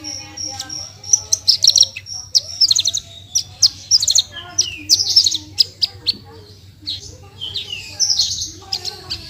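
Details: Branjangan (Javan bush lark) in 'gacor full tembakan' song, recorded in Indonesia as a tutor for kept birds: irregular bursts of high chirps and buzzy trills, a quieter pause partway, then a rising buzzy phrase, over a low hum.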